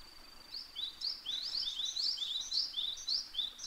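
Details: Eastern spot-billed duck family, a parent with ducklings, recorded 21 May 2023; thin, high, upward-slurred peeps come in quick overlapping bursts, about four per second, starting after a faint steady tone.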